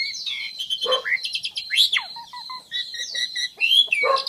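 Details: Varied song of a black-winged myna: rapid mixed phrases of sharp chirps, falling whistles, harsh churrs and a short run of steady repeated mid-pitched notes, loud and close with no other sounds.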